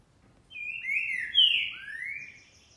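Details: Green-winged saltator, described as a true trinca-ferro, singing on 28 March 2021: a short phrase of loud, clear slurred whistles, first level, then a bright peak and a falling-then-rising final note, over quiet background.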